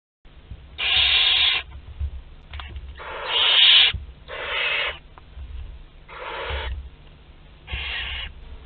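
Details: Barn owl chicks aged two to twelve days at a group meal in a nest box at Théding, France, 29 April 2021: harsh hissing screeches about half a second long, repeated irregularly with pauses, with low background rumble.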